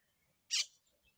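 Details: Myna in the desert of south Punjab gives one harsh, hissing, high rasping squawk lasting about a quarter second, then falls silent in a quiet setting.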